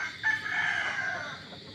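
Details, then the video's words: A rare crowing hen in the evening gives a drawn-out, strained, harmonic crow that holds steady for over a second before fading. "Ang kakaibang inahin na tumitilaok mga kaibigan."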